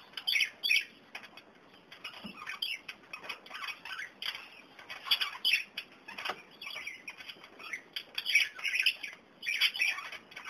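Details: Kakariki, the young ones discovering dandelion and the older ones loving it, give harsh, chattering squawks in short bursts every second or so, with bits of wing rustling and a faint high hiss behind.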